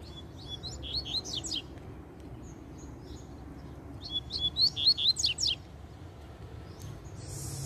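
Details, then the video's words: Wild male double-collared seedeater following a female that feeds on seeds on the ground beneath a tree; two fast bursts of high, sharp slurred whistles and twitters, each about a second and a half, separated by a pause. "COLEIRO SOLTO LOUCO DEPOIS QUE SUA FÊMEA BAIXOU PRO DA GAIOLA!!! PUXADA NO SOLTO"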